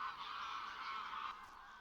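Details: Wild goose at Villafáfila lagoon, Spain, at the end of September, where nearly 23,000 migrating geese stop over. It gives one long, nasal, slightly wavering honk lasting over a second, fading at the end, over a quiet background hiss.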